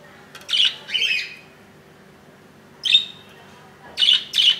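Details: Budgerigars at a nest holding a one-inch chick hatched 15 July 2018 at 2 AM, recorded on its second day: harsh, scratchy squawks in two quick bursts, a pause, then three more, in a quiet room.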